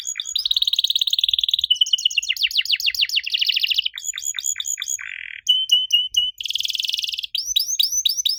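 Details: Varied canary song aimed at getting young canaries to respond: long rapid rolls, falling sweeps, a low grating buzz, clipped repeated notes and a final series of curved chirps, all continuous and loud.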